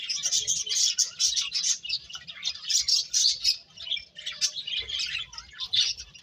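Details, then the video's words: Lively birds chirping in quick high bursts of tweets, with brief dips between bursts, continuing for about six seconds. "Cute Birds Chirping Sounds"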